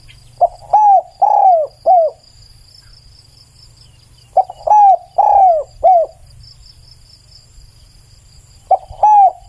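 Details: Spotted dove singing loud, clear phrases of four low cooing notes: a short lead-in, then slurred notes that fall slightly. Phrases repeat after pauses of a few seconds. A faint high insect drone continues in the background.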